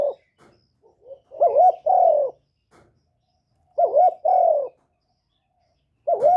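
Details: Caged decoy spotted dove recorded to stir other kept doves into calling, giving low hoarse cooing phrases: a quick two-note coo followed by a longer falling coo, phrases repeated about every two seconds in a quiet setting.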